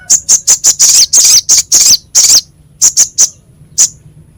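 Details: Crescent-chested babbler, masteran with a coarse, biting voice for training songbirds: a rapid string of short, scratchy high bursts, then a pause and a few spaced single rasps.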